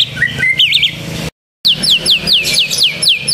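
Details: White-rumped shama singing with canary-like notes: high whistled warbling, then after a short gap a rapid series of sharp downslurred whistles repeated about four times a second.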